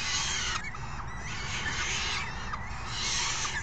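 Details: Raucous falcon nestlings beg as an adult feeds them a delivered meal, June 3, 2018; grating screams rise and break off every second or so, mixed with short high wavering notes.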